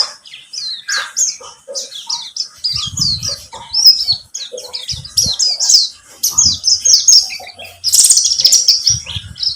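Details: High, busy twittering and chirped trills of a buxtomi white-eye, played as a lure so other birds sing; occasional low thumps and a brief hum sit under the song.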